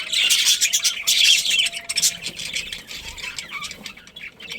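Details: Budgerigars chattering in a colony, a dense rasping wall of high chirps that thins to scattered squeaks toward the end.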